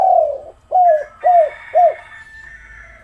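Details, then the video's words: Lure call of a spotted dove, used to coax reluctant doves into calling: a long falling coo followed by three short arched coos about half a second apart, with a faint higher whistle running behind. "pancingan maut tekukur derkuku malas bunyi langsung gacor"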